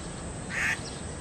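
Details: Grey treepie in 228 Peace Park, Taipei, giving a single short, harsh, rasping call against a steady city background hiss.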